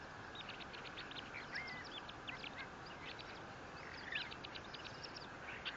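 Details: Bald eagle at its large nest 57 feet above ground at Fort St. Vrain, spring 2024, on a live camera: continuous rapid high chattering notes with a couple of slurred squeals mixed in, over steady hiss.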